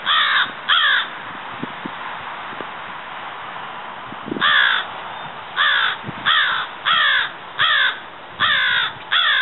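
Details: Florida crow (Corvus brachyrhynchos pascuus), an American crow subspecies in Florida, gives harsh, hoarse caws: a quick pair, a pause of several seconds, then a run of seven caws roughly one per second.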